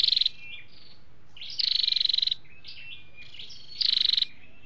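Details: Male and female flowerpecker calling: bursts of rapid, buzzy rattling separated by short high chips and whistled slurs over a low hiss.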